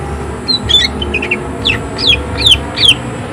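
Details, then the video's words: Greater green leafbird singing vigorously with rough, harsh bursts and high emotion: a thin whistle, soft chirps, then a rhythmic series of loud down-slurred notes about three a second, above a low hum. "Cucak ijo gacor tembakan suara kasar emosi tinggi"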